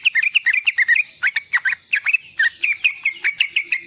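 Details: Young sooty-headed bulbul in full riwikan song, a lure for new and young bulbuls: fast bubbly chatter at first, then slower, evenly spaced sharp notes about four per second.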